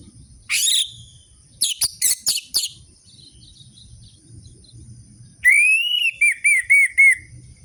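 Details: Lure recording of a vigorous orange-headed thrush song, meant to rouse captive birds: a high squeaky note, then a quick stutter of sharp chips, a pause, and a run of slurred whistled notes repeated rapidly.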